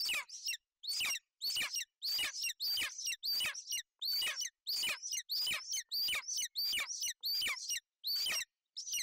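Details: At a Bucovina golden eagle nest on 28 May 2021, in cloudy, wet weather, a mother shelters her chick. Thin, high, sharp chirps, about one and a half per second with brief pauses, come from the calling female or the chirping chick.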